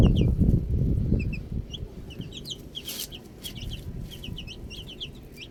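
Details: Baby chicks enjoying the outdoors give scattered, thin, high cheeps, quick and slightly downslurred, spaced irregularly over several seconds. Loud low thumping and rustling noise dominates the opening second.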